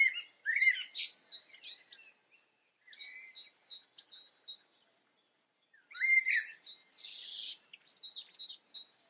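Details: European goldfinch in the Eifel, filmed on camera: lively twittering in two bouts, with bright tinkling notes, quick rising chirps and a harsh buzzy note in the second bout, separated by short series of thin repeated tweets.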